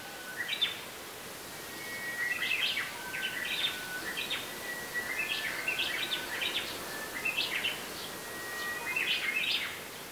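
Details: Series of Japanese bush warbler ho-hokekyo songs recorded with a Yamaha Pocketrak PR7 and arranged in sequence, each a drawn-out clear whistle followed by bright, rapid rising phrases, coming closely and sometimes overlapping against faint steady noise.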